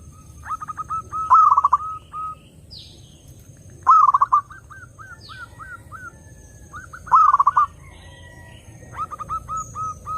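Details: Zebra dove singing to lure other doves: three loud trilled coo rolls spaced about three seconds apart, each trailing into soft falling coos, with faint high thin whistles from other birds in between.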